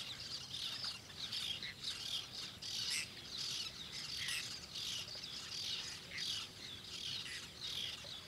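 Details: Whiskered terns at a nest in Doñana National Park, Seville, Spain, in August, as an adult passes frog prey to a chick, give harsh, rasping calls in rapid, overlapping bursts over a hiss of other birds calling.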